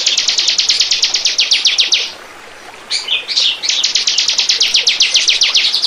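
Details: Bar-winged prinia singing, used as a lure to attract birds: steady fast train of sharp high chips for two seconds, a brief silence, a short twittering slurred phrase, then another rapid even run of chips.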